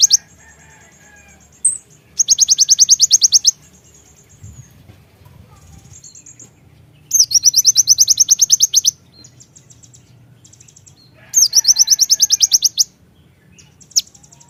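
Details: Javan myna calling to stimulate other birds: three long bursts of rapid, high, rattling notes repeated evenly, with thin whistled notes in the quieter gaps between.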